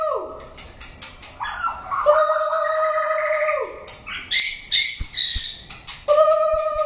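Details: Old wild-caught white-rumped shama in contest-singing training: long, clear, steady whistled notes held for several seconds, then a quick burst of bright, higher whistles and sharp clicks, ending on another long whistle.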